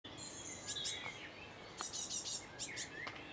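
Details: In Cambridge, UK, on 28 May 2019 at 1:22 pm, a Great Tit fledgling begs for food with thin, high, rapid chirps and slurred whistles in quick bursts, with a few sharp clicks and faint background hiss.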